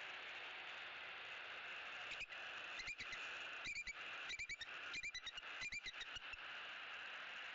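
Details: Bald eagles in Southwest Florida vocalizing at the nest tree as a sub-adult intruder is driven away, early morning, 18 October 2018; faint bursts of high, rapid chittering notes, several clusters over constant broadband hiss.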